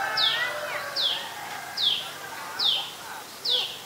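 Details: An adult common tailorbird (Orthotomus sutorius), a common resident, in Ubon Ratchathani, Thailand, on 11 April 2022, gives five sharp, high, downslurred notes about every 0.8 seconds over a soft background hum.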